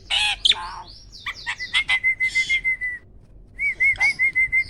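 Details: Caged contest starling opening with harsh buzzy squawks and a rising whistle, followed by a long run of evenly pulsed trilling notes, a brief pause, then the pulsed trill resumes.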